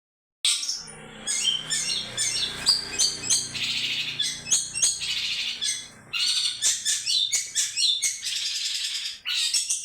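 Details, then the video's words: Long-tailed shrike singing happily, a dense run of varied chirps and harsh notes high in pitch, phrases packed closely with brief pauses near two and six seconds, faint low hum beneath. "cendet bara sedang bahagia"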